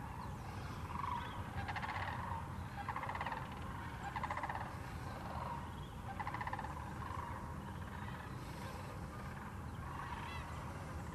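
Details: Sandhill and whooping cranes at Wheeler National Wildlife Refuge, Alabama, on 14 December 2019, many calling together. Rolling, trilled calls come in overlapping bursts about every second or two over a steady low rumble.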